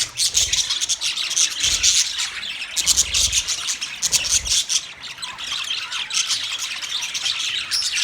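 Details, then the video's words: Budgerigar chattering with a steady run of high, scratchy chirps and harsh squawk-like notes, closely packed and unbroken, with a few low thumps beneath. "My beautiful Australian Parrot Bird Chirping sound"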